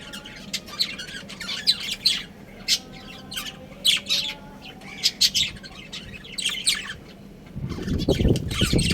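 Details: Budgerigar breeding pair kept as pets: repeated short scratchy chirps and squeaks scattered about every half second, ending with a rise of broad rustling noise over the last second.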